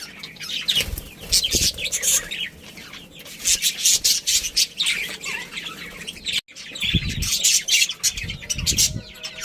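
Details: A breeding pair of budgies with their family, giving bursts of sharp high chirps and rasping chatter in uneven clusters. A short silent gap comes partway through, and there are some low thuds.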